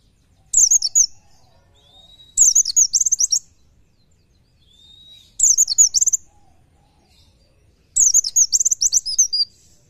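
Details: Oriental white-eye, called pleci, singing masteran song in 'nembak nyepeed' style: four short bursts of hurried high twittering, each preceded by a soft thin rising whistle.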